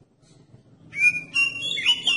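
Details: Oriental magpie-robin song intended to provoke other magpie-robins to sing: after near-silence, a clear sustained whistle followed by a rising, warbling whistled phrase.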